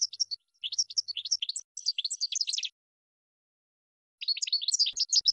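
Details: Training song for caged European goldfinches, made of bursts of fast, liquid, high twittering notes, a long silent gap of about one and a half seconds, then another dense twittering phrase.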